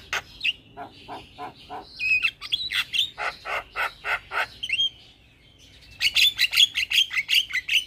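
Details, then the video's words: Starling (jalak) used as a lure bird, giving a rhythmic chatter of harsh clicking notes about twice a second, interspersed with whistled slurred phrases, then a brief pause and a louder burst of whistles and rasps. "Terapi Burung Jalak Macet Bunyi / Jalak Pikatan Bikin Cepat Gacor"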